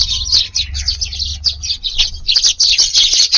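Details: A crowd of Eurasian tree sparrows descends together onto a Japanese garden at dusk on 22 July to feed. Quick, sharp, high-pitched chirps tumble over one another in bursts about three per second, with a faint low rumble underneath.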